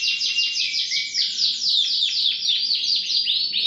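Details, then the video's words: Continuous dense canary song: rapid rolling arched notes merging into a bright, nearly unbroken warbling trill at high pitch. "٣٠ دقيقة تغريد مستمر ورائع مهما كان نوع الكناري خاصتك سيبدء بالتغريد"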